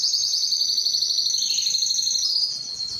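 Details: Spanish Timbrado canary delivering a steady high rolling trill of fast repeated notes, slightly rising then levelling, fading a little at the end.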